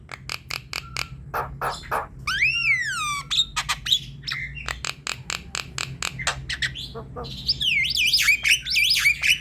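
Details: Lively Javan myna song, a lure for a silent myna: dense clicking and rasping chatter broken by long descending whistled slurs and, near the end, wavering high whistles.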